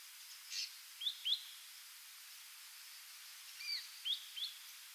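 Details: Ashy drongo, wild, on Yonaguni Island, Japan, during a migration stopover: a few faint, quick rising chirps, some paired, plus a short downslurred note, heard against a constant background hiss.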